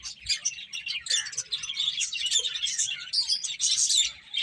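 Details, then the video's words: Several finches chirping while eating: a dense, overlapping chatter of high, short chirps and tweets running continuously with no pauses, over a faint low rumble. "Cute Finches Chirping Sounds"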